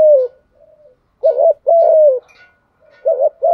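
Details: Spotted dove calling to stimulate newly caught doves: a falling coo, then a crisp doubled coo followed by a long, evenly falling coo, with another doubled coo beginning at the end.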